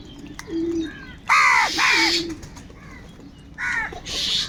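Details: Several crows squabbling over food give loud, rasping caws in a pair of strong bursts, then quieter repeats. A soft low cooing sound runs beneath.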